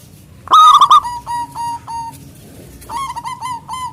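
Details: Local zebra dove with a big voice calling to rivals: a loud rolling coo burst, then a run of evenly spaced short whistled notes, and a further quicker stuttering phrase.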